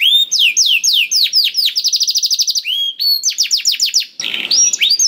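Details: Canary singing continuously as a prompt for a hesitant canary: descending slurred notes, a long even trill, rising whistles, then a brief buzzy rasping passage.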